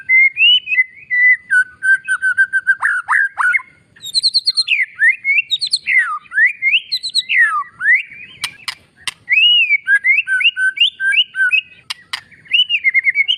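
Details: An oriental magpie-robin sings a rich, varied master song of clear whistles, slurred rising and falling notes and quick chattery phrases, with a few sharp clicks midway; it is used to make lazy birds sing and to excite males.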